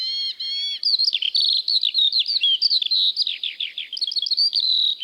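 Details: Eurasian skylark in the British countryside in spring, singing continuously while hovering high over fields: an unbroken, rapid stream of high chirps, trills and varied warbled notes, with no other sounds.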